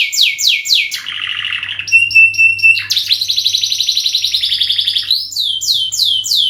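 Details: Canary singing a long lure song, with fast descending sweeps, a lower rolling trill, clipped steady whistled notes, then an extended high buzzy trill and more downward sweeps, all varied and continuous.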